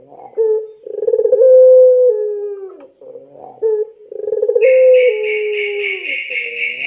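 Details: Spotted dove lure call for training young doves: deep tremulous coos that level out and fall slightly at the end, repeated twice. A higher buzzy rasping sound joins in the final two seconds.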